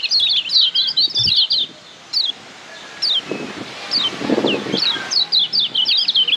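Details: Lombok white-eye, called kecial kuning, singing a Padangan-style tutor song for caged birds: a burst of rapid high twittering, a pause with scattered single sharp slurred notes, then another quick twittered run; soft low thumps in the background.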